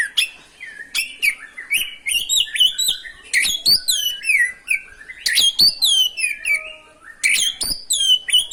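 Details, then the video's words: Non-stop ngerol song from an oriental magpie-robin, used as a provocation for other magpie-robins: dense, fast, richly varied whistles, chips and slurred phrases, loud and almost continuous throughout. "PANCINGAN SUARA BURUNG KACER GACOR NGEROL BIKIN KACER LANGSUNG EMOSI"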